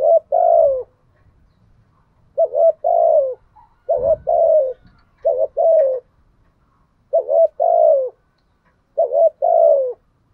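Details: Spotted dove decoy repeating 'thúc gù' and 'gáy gọi' coos: five or so phrases of two brisk notes followed by a longer falling coo, spaced a second or two apart, with a single dull thump midway and light background rustle.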